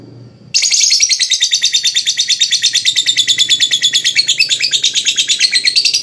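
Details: Lovebird in full ngekek, the long chattering song used as therapy to stimulate other lovebirds: after a short pause, a loud, rapid, rattling trill of harsh high notes runs on without a break.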